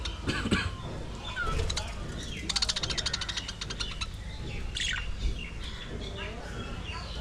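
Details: A colony of budgerigars in an aviary gives busy chirping chatter: short tweets, a fast rattling burst in the middle and scattered squawky notes, with a low background hum throughout.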